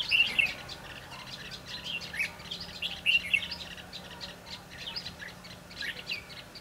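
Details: Red-whiskered bulbul at a trapping site on 22 December 2015. Bright, slurred whistles and chirps come in clusters, with louder phrases near the start and after three seconds.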